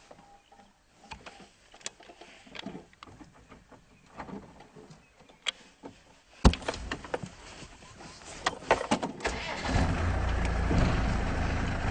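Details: Car interior sounds: scattered clicks and faint engine hum, then an engine starting and a steady rumble of driving, with no animal calls.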